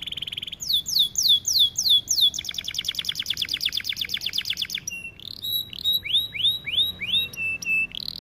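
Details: Canary song used for training: a held whistle, several falling notes, a long fast buzzy trill, then a string of swooping rising and falling whistles.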